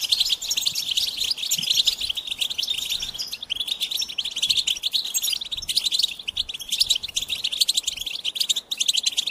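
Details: Goldfinch pouring out an unbroken run of rapid, bright twittering and trilled notes with steady energy throughout.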